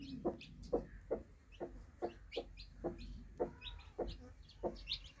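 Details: Broody hen with newly hatched chicks: short low clucks repeated roughly twice a second, steady and soft, with thin high chick peeps scattered above them against a quiet background hum.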